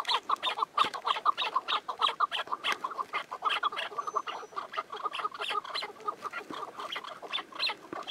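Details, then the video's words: Dense, continuous chukar partridge clucking, a long series of rapid chuck notes with harsher, brighter overtones, the calls overlapping almost without pause. "Keklik Sesi Yürek Hoplatıyor"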